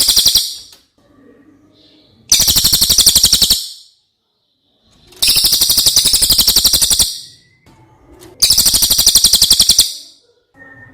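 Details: Brown cililin, a bird from outside Java, used as a master song for training other birds; long, loud, shrill rolling trills in bursts of one to two seconds, four bursts separated by short pauses, with a faint background.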